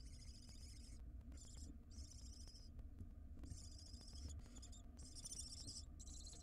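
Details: At a wild barn owl nest box, with the mother bringing a ring-necked parakeet to the nest, rasping hissed screeches come in quick succession, some short, some near a second long, over constant low background rumble.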